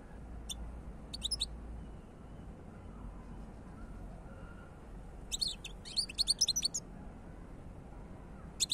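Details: European goldfinch singing scattered, rapid twittering phrases of sharp, high tinkling notes, with a longer jangly burst near the end and steady low background hum.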